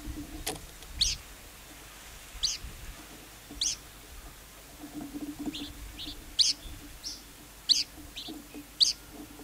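A lark gives sharp, high, clipped chirps about once a second, some doubled, over a faint low background hum.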